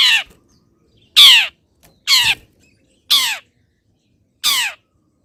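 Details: Caged long-tailed shrike (cendet), cover removed, misted and set in morning sun, giving five harsh, raspy, downward-sweeping squawks spaced about one second apart, with quiet pauses between.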